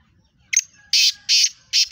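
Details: Kala Teetar, the black francolin of Pakistan, a fast 'chakri wala' caller. A short sharp opening note leads into three evenly spaced loud rasping bursts, each about a fifth of a second long.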